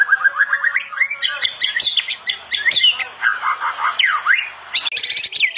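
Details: Master song of a white-rumped shama for training: rapid repeated notes, then varied whistles, swoops and chattering, with a deep V-shaped slurred whistle near the end and a high buzzy flourish.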